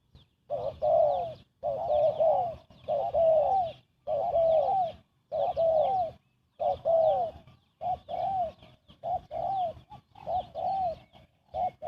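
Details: Spotted dove cooing fast, a sound used to lure birds for trapping: paired coos, a short note then a longer arched mellow one, repeated steadily about every second with brief gaps, clear and dominant.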